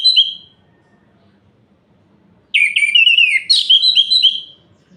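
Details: Night song of an orange-headed thrush, meant to stir up rival males: one short whistle fades, silence follows, then a rich tumbling phrase of high whistles, chirps and quick trills for about two seconds.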